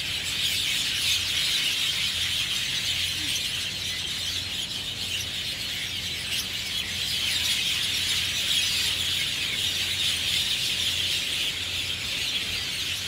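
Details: Flock of mynas, Javan or Jungle, chirping loudly in treetops at Marina Barrage rooftop, Singapore, Sunday afternoon; dense, unbroken high-pitched chatter from many birds at once, shrill notes overlapping throughout, over a low steady hum.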